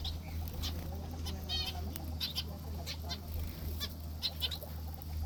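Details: Morning in an aviary with a finch: brief bright chirps and stacked tweeting notes repeated at irregular intervals over a constant low droning hum.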